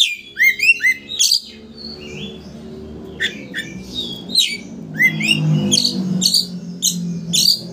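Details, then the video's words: Oriental magpie-robin in full song to stir a rival into fanning its tail: clusters of quick downslurred whistles and rising notes alternate with harsh bursts and sharp chips, over a steady low hum. "Pancingan Kacer Gacor Untuk Memancing Emosi Lawan Agar Mau Buka Ekor"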